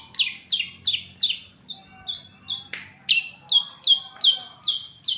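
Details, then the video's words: Long-tailed shrike, a kept songbird, delivering rapid falling whistled notes, briefly switching to a few flat, higher steady whistles midway, then resuming the quick descending notes about three per second; low hum behind. "cendet burung indah dan cerdas"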